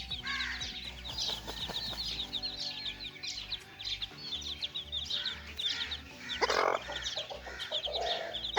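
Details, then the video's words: Many young chickens peeping continuously in high, quick chirps while playing, joined by a few lower clucking notes, over a constant humming, music-like background. "little chicks playing"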